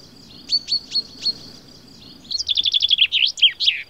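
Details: Common chaffinch in Baie d'Audierne, Finistère, Brittany, France, between late April and early May 2022, giving calls and song: four quick high notes, then a rapid descending trill of about ten bright notes ending in a flourish.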